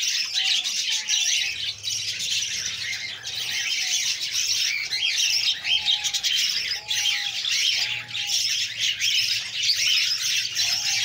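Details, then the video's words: Female budgerigar feeding her chicks, which beg nonstop with hoarse, hissing squawks that pulse irregularly for eleven seconds, with a few thin whistled notes and a faint low hum underneath. "female feeding babies buggies parrots"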